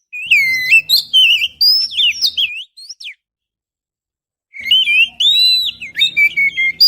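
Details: Oriental magpie-robin song used as a trapping lure, recorded with a GoPro Hero: rich, varied whistled phrases with sweeping slurs and quick chirps, a gap of nearly two seconds, then another burst of melodic whistling.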